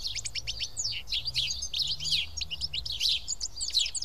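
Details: At Karyotissa in Greece, a group of house sparrows eating together produces a steady stream of short, sharp chirps, dense and overlapping from start to end.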